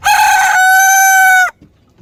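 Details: A South Korean rooster's crow, loud and close: a rough opening syllable flows into a long, clear, evenly held harmonic note, stopping abruptly after roughly one and a half seconds.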